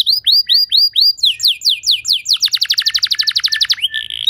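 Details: Canary song for training other canaries to sing gacor: curved whistled notes repeated about four times a second, then faster down-slurred trills, ending on a short sustained whistle.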